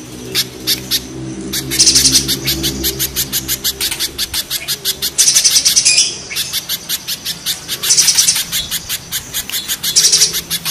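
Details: Pijantung gunung and pijantung pisang spiderhunters sing harshly against each other: dense trains of piercing high chips, about four a second, swelling into loud bursts, over a low steady hum in the opening seconds.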